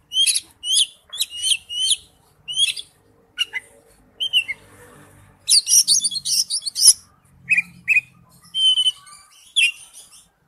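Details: Oriental magpie-robin lure song as a ringtone: a rhythmic series of repeated bright chirped phrases, a few short whistles, a dense scratchy chattering burst, then clear downslurred whistles and chirps.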